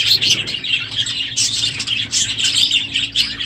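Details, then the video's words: Many budgerigars calling together in an aviary on a noisy morning late in the breeding season; bright, rapid chirps and chattering warbles overlap continuously. "NOISY birds this morning!"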